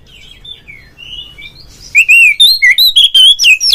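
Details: Oriental magpie-robin, kacer ngeplong song used to set other magpie-robins singing: soft wavering whistles first, then a loud burst of short clear whistled notes repeated about twice a second, with rising and falling slurs.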